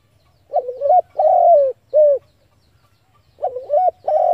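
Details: Spotted dove cooing as a trapping decoy over a faint low rumble: wavering rising notes, a long descending coo and a short coo, then the phrase starts again.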